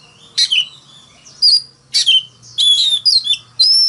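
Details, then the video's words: Oriental magpie-robin singing a morning fighting song: separate loud bursts of bright whistled notes and quick slurs, about five phrases with short pauses between them, over a faint low hum. "Tiếng than mồi hót đấu"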